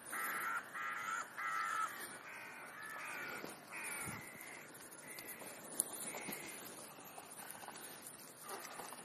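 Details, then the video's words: Crows feeding on a snack between breakfast and lunch give a steady run of about a dozen short, hoarse, nasal caws, the first ones louder and the later ones softer. A brief thump is heard midway, with outdoor background hiss. "Krähenbrunch /crow`s brunch"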